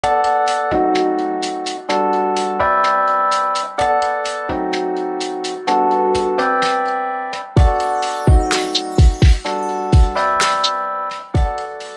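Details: Sustained keyboard chords change every second or so, with a few sharp percussive knocks near the end; no animal voice is heard.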